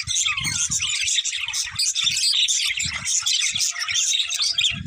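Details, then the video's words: Budgerigars in a pair give constant scratchy chirping and warbled twitters, high and dense, over soft repeated low thumps and a faint steady tone. "Cute Budgies Chirping Sounds"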